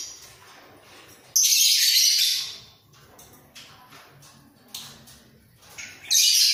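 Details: A bobbing-headed pair of budgerigars in their breeding cage: one loud harsh, buzzy chatter burst about a second long, a quiet stretch with soft faint sounds, then another loud burst at the end.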